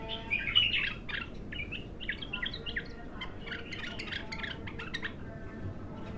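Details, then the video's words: Untrained bulbul singing for the first time: a dense run of short chirpy, warbled notes, fairly quiet, with steady low background hum throughout. "تغريد الابتر"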